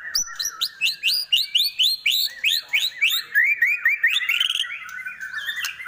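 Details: White-rumped shama (murai batu) of the Trek type at a gathering of kept songbirds: fast, loud run of rising, slurred whistled notes, about four per second, ending in a busier chattering warble.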